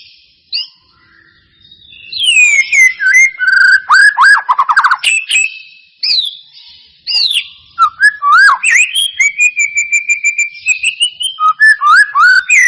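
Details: Caged white-rumped shama singing as a provoking lure: bursts of rich varied whistles and sharp chirps, a sustained steady whistle, then a fast stuttering run of clipped notes.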